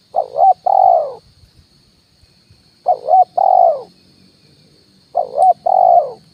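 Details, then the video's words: Decoy call of a spotted dove, kuk 1 style, used to attract wild birds: three low mellow phrases, each a quick double note followed by a longer falling coo, about two seconds apart. "SUARA PANCINGAN BURUNG TEKUKUR,KUK 1 DI RANTING &TANAH"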